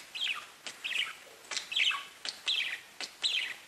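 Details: Pet budgies give short, sharp chirps in quick succession, each followed by a soft click, in a loose rhythm of roughly one note every half second.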